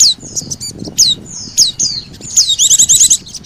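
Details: Oriental white-eye lure recording combined with sogon calls to attract birds: scattered high falling whistles, then a fast, buzzy, stuttering trill near the end.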